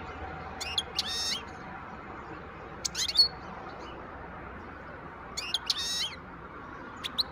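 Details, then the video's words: Wild European goldfinch singing, recorded in 2023: short clusters of sharp, twittering notes sweeping up and down, given in bursts about two seconds apart with quiet pauses between, over a steady low background hiss. "تغريد حسون خلوي"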